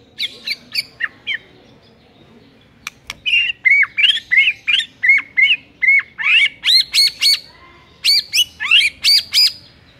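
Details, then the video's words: White-rumped shama bait song meant to provoke a lazy bird into singing, with dense 'shot' material: loud, rapid run of sharp rising whistles and squawky notes, repeated several times a second in a steady rattling stream. "PANCINGAN EMOSI MURAI BATU PEMALAS MATERI PEDES TEMBAKAN RAPET"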